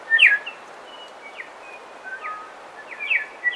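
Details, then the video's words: Bellbirds singing and calling in a dawn chorus on the coast: a loud sharp chirp opens, followed by thin level whistles and brisk downslurred notes, then a bright cluster of chirps at the close, over low hiss. "Dawn Chorus With Song And Calls From Bellbirds"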